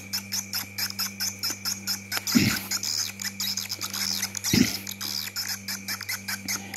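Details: Swiftlet chirps in a fast steady train of dry buzzy pulses, several per second, over a low electrical hum, with two dull thumps; a call sound recorded from a colony flying outside a swiftlet building.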